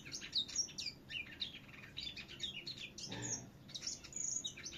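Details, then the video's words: Vietnamese contest-singing finch heard out back giving a rapid, bright twitter of thin whistled slurs and chips. A brief broadband thump near the middle, with a steady low hum underneath. "Tiếng thanh tước hót đấu"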